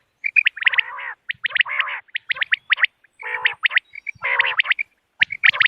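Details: Common quail (bater) sounds used in hunting on moonlit nights. Clusters of sharp chirps alternate with harsh, buzzy phrases at an uneven pace, roughly one burst per second.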